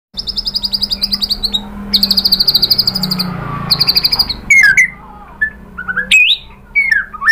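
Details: White-rumped shama song used to provoke other birds into singing: rapid repeated high trills in bursts, then sharp whistled upward and downward sweeps with pauses between phrases.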